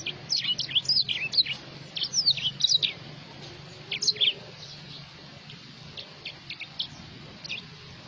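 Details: Black-throated sparrow (Amphispiza bilineata): quick bursts of high, thin twittering and sliding notes for about four seconds, then sparser soft chirps, over a faint low hum.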